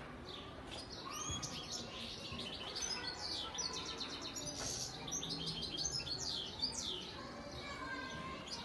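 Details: Continuous goldfinch song from a breeding male bird in Antalya, 2018: a busy, jangling stream of high chirps, trills and sliding notes that runs without pause over faint background noise.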